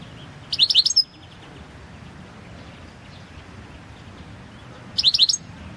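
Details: Balkan European goldfinch, Carduelis carduelis balcanica, recorded as a competition entry for the 2022 World Championship in Goldfinch Song, giving two short bursts of high, rapid, tinkling notes about four seconds apart over quiet background hiss.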